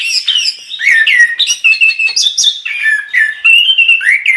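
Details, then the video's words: Chestnut-capped thrush pouring out loud, unbroken song: fluid whistles gliding up and down, interspersed with buzzy trills and crisp chirps, barely pausing for breath. "Suara Burung Anis Kembang | Gacor"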